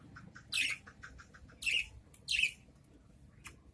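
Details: Caged adult budgerigars answering each other with three loud, harsh, scratchy squawks spaced about a second apart, between faint soft clicks and ticks.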